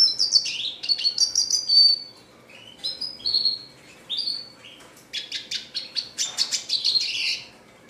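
A red siskin sings a rapid, high twittering song of thin whistles and buzzy trills in bursts, with brief pauses between phrases.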